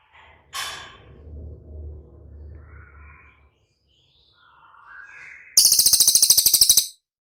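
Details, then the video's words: Cililin song used as training material to prompt caged birds to respond: a fast, high, even trill of about a dozen sharp notes lasting over a second, after quieter scattered chirps and a low hum. "SUARA CILILIN DIJAMIN CEPAT RESPON"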